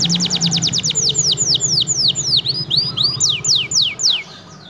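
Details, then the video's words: F1 canary singing persistently, used as a model for training other birds: a quick trill of sharp down-swept notes, slowing into longer sweeping whistles, with low hum beneath. "kenari f1sf gacor ngotot cocok untuk masteran"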